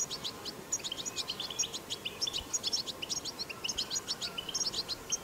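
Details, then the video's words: Wild European goldfinch twittering in 'batbata' style: quick sequences of clipped, high, metallic chirps repeated several times a second across the clip, against light background hiss. "أقوى بتبتة حسون"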